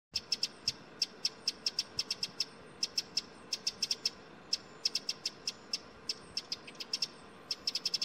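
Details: Eurasian wren in the Harz on 7 November 2020, scolding people it saw as a threat, gives hard, dry ticks in quick irregular bursts of two to five over a faint steady hiss.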